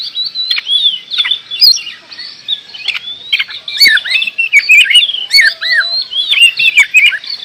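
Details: Oriental magpie-robin pouring out continuous song, with clear whistles, dipping and rising slurs, and rapid chattered figures, interspersed with sharp ticks.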